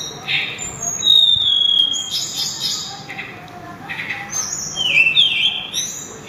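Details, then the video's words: A sulingan sings thin, high whistles, some long and level, others quick and sliding, with softer notes between and a louder twisting phrase near the end. "burung sulingan atau tledekan suara merdu langsung ngelangit berkicau"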